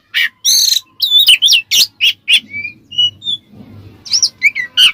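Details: Oriental magpie-robin giving ngeplong-style song as a provoking lure: loud buzzy chirps, then soft thin whistled notes over low rumbling background, ending in more harsh chirps.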